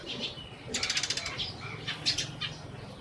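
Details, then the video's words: Sparrows give short, high chirps scattered through the moment, broken by a quick burst of rapid wing flutters near the start; filmed in Burma. "Sparrows/ sparrow sounds"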